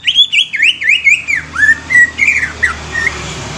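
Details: A young greater green leafbird, used to provoke other leafbirds into song, gives quick wavering high whistles that settle into lower, flatter slurred notes, ending with a few spaced short whistles.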